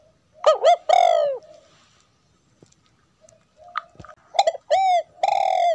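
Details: Female spotted dove cooing to stimulate a male to sing; short bursts of rich, throaty coo notes with wavering, bending tones, a pause, then another run of coos ending in a longer steady note.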